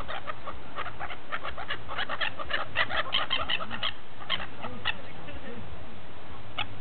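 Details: Gulls feasting at Repino near St. Petersburg give quick bursts of clipped calls, busiest in the first four seconds then thinning out, with a low steady rumble beneath.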